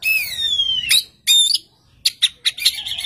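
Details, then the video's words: Oriental magpie-robin in full, persistent song that prompts another magpie-robin to answer at once: long clear whistles sliding downward, then bursts of sharp high chattering and scratchy notes. "kacer gacor satu titik nembak bikin kacer lain langsung nyaut"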